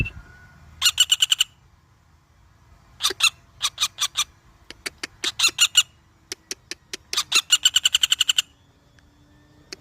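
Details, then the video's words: Woodpecker giving bursts of rapid, sharp, high chattering notes, series of about five to fifteen clipped calls separated by short pauses, with scattered single notes between; quiet low hum behind. "Suara burung pelatuk bawang"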